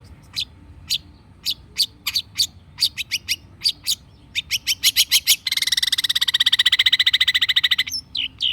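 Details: Long-tailed shrike song used as a lure to prompt stressed, silent caged shrikes to answer: sharp clicking notes repeated faster and faster, then a long rapid buzzy rattling trill, ending with a few squeaky notes.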